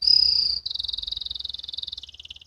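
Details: Canary youngster learning to sing (ngriwik): loud high whistle followed by a steady fast rolling trill that drops lower and softens toward the end.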